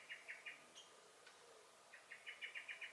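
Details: Turdus merula in a garden on 23 May 2021 gives three sharp notes, then a thin high note and a click, followed by a fast run of about seven harsh chinking notes.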